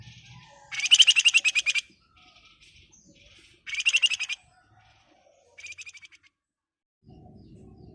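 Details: Flamboyan singing in 'ngebren rapat nyerecet' style: three rapid, buzzy, high-pitched rattling trills, the first two close to a second long and the last shorter, separated by short pauses with a low murmur at the end.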